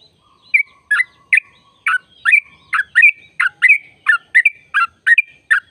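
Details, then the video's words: Sooty-headed bulbul trill used to stir caged birds into singing: a string of sharp chirps with short whistled tails, roughly one to two notes per second, clean with no other sounds. "trucukan gacor tempur ropel panjang"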